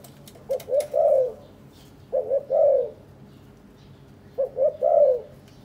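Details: Captive spotted dove pair bonding after three days together, allopreening and nest building; three-part cooing phrases, two short notes then a long falling coo, repeated roughly every two seconds with faint clicks behind.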